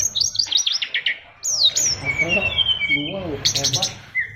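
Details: Oriental magpie-robin, an SRDC Bali bird, singing a song full of imitated phrases ('isian luber'): quick rising whistled notes repeated several times, a long sweeping whistle, then bursts of high twitters and a short closing note.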